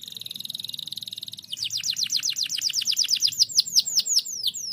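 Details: Kenari pocong canary singing loud and nonstop to prompt lazy birds into song: a rapid buzzy trill, then a long series of quick high downslurred whistles repeated several times a second.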